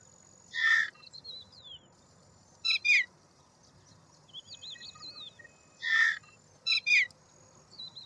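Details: Indian roller, also called milk bird or neelkanth. Harsh, rasping bursts come at irregular intervals, roughly three times in eight seconds. Thin, high whistled sweeps from other birds sound between them over a faint steady background hiss.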